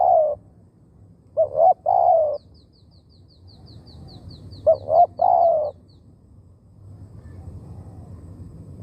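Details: Decoy spotted dove luring wild birds, uttering two phrases of quick stacked notes that run into a long burry coo, with a faint rapid series of high ticks from another bird between them.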